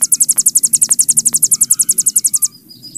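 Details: Ciblek gunung, the hill prinia, in a bren session recorded as a master for cagebirds: piercing rapid pulsed trill for two and a half seconds, ending with faint thin whistles.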